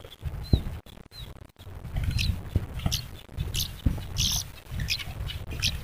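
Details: Pied bushchat parent, fiercely attacking while its nest is checked, gives short sharp chirps and harsh scolding bursts in an irregular volley, over heavy low rumbling, thumps and rustling close to the nest.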